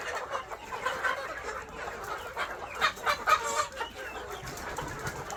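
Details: Flock of KUB village chickens on an Aceh Besar farm: busy overlapping clucks rising into a run of louder, sharp clucks in the second half, about two per second.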